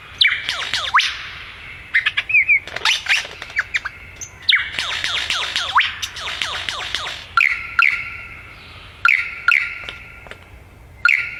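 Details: Busy, excited bird chatter: dense bursts of high twittering, quick upward and downward sweeps and scratchy notes, broken by short pauses, with steadier whistled phrases toward the end.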